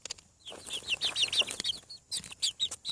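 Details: Chicks newly out of the egg on a farm call with loud, arching peeps repeated several times a second, a few overlapping voices, after a brief quiet start.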